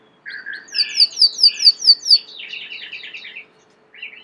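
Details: Belgian canary, kept as a domestic bird, delivering a string of about eight quick rising-and-falling chirps over a buzzy undertone, then a jumbled warble, a brief pause and a final short note.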